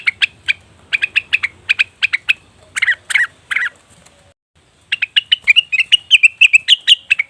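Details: Leafbird lure of cucak wilis or rengganis: quick evenly spaced chirps, then three louder rasping harsh notes, a silent gap, and a final run of rising, wavering chirps.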